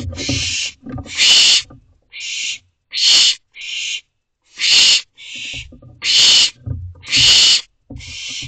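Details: Nighttime begging by a barn owl owlet in an owl box after a vole delivery, 18 June 2023: raspy hissed screeches in irregular bursts separated by short silences, plus low shuffling movement sounds.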